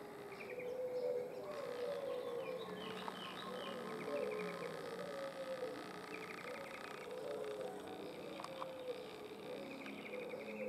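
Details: Sooty-headed bulbul perched in a tree giving short, bright chirping calls in quick bursts, over a busy background of lower wavering notes and other faint bird sounds.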